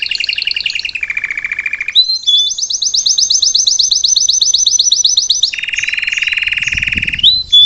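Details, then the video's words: Canary of the salsa type singing for a youngster to learn from; rapid trills change from low rattles to high sweeping notes, then a long low trill, with a faint soft noise near the end. "Melhor canário salsa cantando para ensinar seu filhote a cantar/salsa canary singing live"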